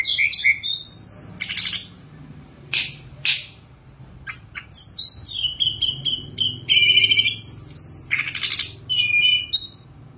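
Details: Caged Sunda robin singing on its perch with a rich, varied repertoire. High whistled notes alternate with buzzy, broadband rasping bursts, short pauses between phrases.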